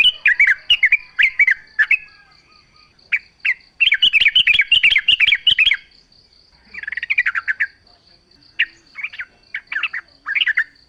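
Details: Yellow-vented bulbul in full song, a lure meant to set other bulbuls singing back. Bursts of rich, chattering chirps alternate with brief gaps over about eleven seconds, with a faint constant high-pitched tone behind.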